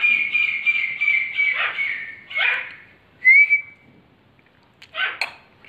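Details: Young male grey francolin calling in response to a whistle: a long, loud, harsh, buzzy phrase in pulses for over two seconds, a short rising whistle, then another brief rough call.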